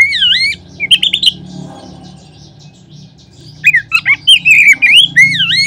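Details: Oriental magpie-robin lure song meant to set other magpie-robins singing. Rich swooping whistles and short chattering notes come in two bursts, separated by a quiet gap of about three seconds over a low background hum.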